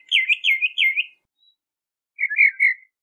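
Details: Bahama mockingbird singing: three loud, looping whistled phrases in quick succession, a pause of about a second, then a warbled, chattering phrase of similar pitch; no other sounds.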